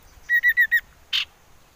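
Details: Common iora, a lure sound meant to make birds sing: four quick, even whistled notes on one pitch, followed after a short gap by a single harsh buzzy note.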